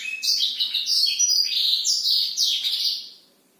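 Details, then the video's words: Night-time song of a Black-throated canary in full voice: fast, continuous high-pitched twitters and slurred whistles strung together for about three seconds, then fading out. "blackthroat gacor malam hari"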